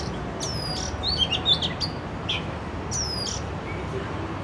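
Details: Oriental magpie-robin singing in an urban area, Canon R6: high descending whistles and short sweet notes in quick bursts, repeated phrases about a second apart, low city hum beneath.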